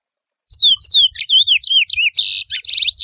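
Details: A wild chestnut-bellied seed finch sings its natural song, a rich, fast run of sweet slurred whistles that rise and fall, ending in buzzy trilled notes.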